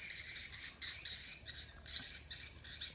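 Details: Swiftlets recorded on Samui, Thailand: loud, hissing, buzzy chirps come in pulsing bursts roughly twice a second. The birds form a continuous twittering mass with no other clear sounds.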